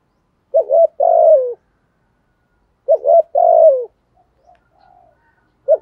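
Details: Spotted dove singing in the 'giọng thổ' style, a cooing voice used to lure wild doves into answering; each phrase is a short note and then a longer, sustained coo that falls at the end, repeated about every two and a half seconds in a quiet setting.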